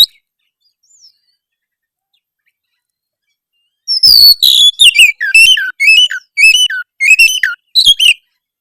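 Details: Oriental magpie-robin's harsh rival-provoking song starting after a long silence: a clear rising whistle, then repeated phrases of swooping, downslurred whistles with scratchy overtones, about two per second.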